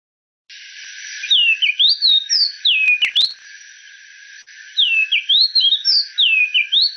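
Oriental Magpie-Robin song: two bursts of varied, clear whistled notes, some rising and some falling, in quick succession, with a brief click in between.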